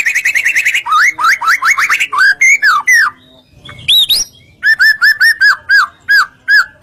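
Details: Gacor song of a white-rumped shama (murai batu), used as a pancingan lure so other shamas answer: rich, varied whistled phrases, looping slurred notes, then a string of repeated clear downslurred whistles.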